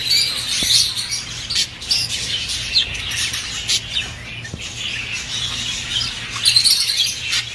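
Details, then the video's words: Budgerigar warbling used to push the birds toward mating: many birds chirping and squawking at once in a dense high twitter with brief louder bursts, and a soft low hum beneath. "تحفيز عصافير البادجي الاسترالي علي التزاوج بسرعة"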